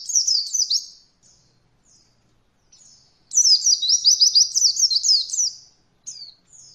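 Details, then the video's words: Beginner 'roll voll' training song of an Oriental white-eye: a brief trilled opening, a few thin chirps, then a long rapid high rolling trill of about two seconds and a closing chirp. "Masteran Pleci Paling Ringan Untuk pemula belajar Roll Voll"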